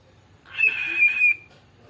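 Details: Pet cockatiel that copies words taught by the owner's mother, giving one clear whistled phrase lasting under a second, steady and slightly wavering, in a quiet indoor room.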